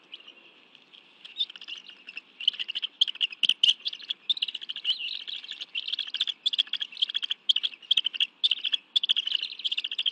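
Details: Bald eagle family feeding on fish at its nest in the National Arboretum, Washington, D.C., on a June 2017 afternoon. Fainter, fast stuttering high chitters build into a steady run of rapid notes after a quiet start.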